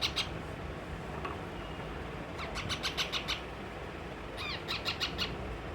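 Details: Young pet parrot, angry and not eating, makes isolated sharp chirps followed by two quick trains of five or six high, clipped notes, some slightly slurred upward, against a low humming background.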